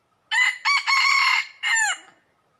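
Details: Red junglefowl crowing in Laos in early spring 2022 during trapping: a loud, harsh crow in four segments, a short opening note, a long sustained middle and a falling final note, with quiet surroundings.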